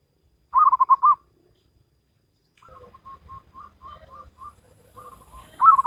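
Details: Salendro-rhythm song of a local wild zebra dove: one loud bubbling phrase of quick coo pulses, a pause, then a soft, evenly spaced string of short coos before another loud rolling phrase begins.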